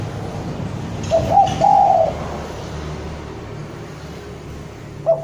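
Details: Javanese spotted dove calling a rival: a single low cooing phrase, a clipped note followed by a longer coo, partly masked by steady background hiss, with the start of another coo at the very end.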